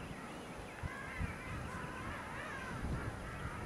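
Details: Fortuna Bay, South Georgia: King penguins heard as a softer background of overlapping warbled trumpet calls, undulating in pitch, under steady low rumbling noise with a few thumps.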